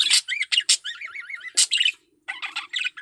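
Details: Male parakeet in heat giving a quick run of wavering, rising-and-falling whistled squeaks mixed with harsh chirps, then a brief pause and more chatter.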